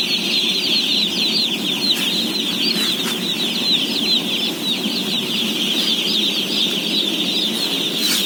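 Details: Dense peeping of day-old chicks being fed in a house of roughly 17,000 birds. A continuous high twittering blanket of rapid chirps, interrupted by a few brief rustling or clattering bursts, with a soft low rumble below.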